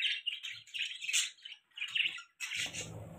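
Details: Pet budgies chirping in a rapid string of short, bright, buzzy notes, with brief gaps between bursts, ending in a harsher squawky chatter over low rustling.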